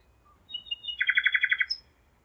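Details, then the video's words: Nightingale song recorded in Zeitz, Germany, at 01:55 on 5 May 2017; soft piping introductory notes lead into a rapid, even series of about eight throaty repeated notes, closed by a sharp high whistle. "Gesang der Nachtigall - Song of the nightingale"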